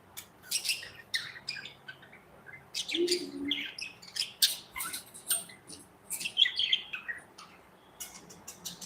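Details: Budgerigars flitting and interacting in a cozy aviary, giving a busy stream of high, warbling chirps and short clicks in quick irregular bursts, with one lower muffled note.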